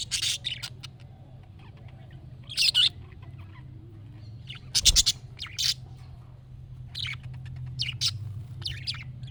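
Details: Budgerigar sounds meant to make a pet budgie call back: scattered short, sharp chirps and brief squeaky notes separated by quiet gaps, over a low steady hum.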